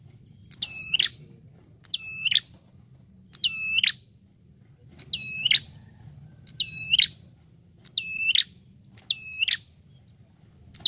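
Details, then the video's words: Bar-winged prinia lure call: eight shrill, level whistles, each with a brief rise and a buzzy crackle at the end, repeated steadily every 1.3 to 1.5 seconds over a faint low hum. "SUARA PIKAT Burung Prenjak Tamu Gacor D0orrr"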